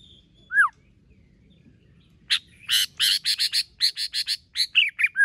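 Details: White-rumped shama, multi-voiced competition-style song: a few clear descending whistles, a pause, then a fast run of harsh, buzzy chattering notes roughly seven per second, ending in short slurred whistles; quiet background.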